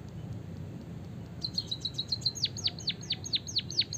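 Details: A white-headed munia from Java with canary song fill, used for training other birds: a quick high buzzy trill running into a series of steeply falling whistled notes, evenly repeated, over faint low background noise.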